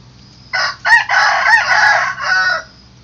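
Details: A rooster crows in the morning. One long crow rises from short opening notes into a sustained, strained, nasal middle and then trails off, lasting about two seconds. A low steady hum sounds underneath.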